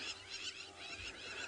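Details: Plovers in the Maasai Mara on 30 September 2017 chirp furiously in frustration, giving sharp, high chirps in quick bursts as they bomb-dive to harass a secretary bird, over a steady hiss of wind and open-country background.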